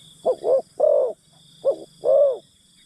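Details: Spotted dove decoy enticing wild birds, giving two short coos and a longer croo, then a single coo and another long croo, soft and low-pitched, over a faint steady hum.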